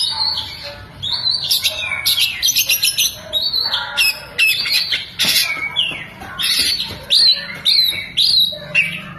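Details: Oriental magpie-robin opening its tail while singing, its song stuffed with lovebird imitation. Loud bursts of shrill squawks and chattering alternate with clear whistled notes that dip and rise, in choppy phrases.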